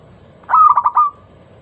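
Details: Zebra dove, local type, singing a loud, clear lure song meant to make other doves call: one bright phrase of four fast stuttering coos ending in a short held note, under a second long.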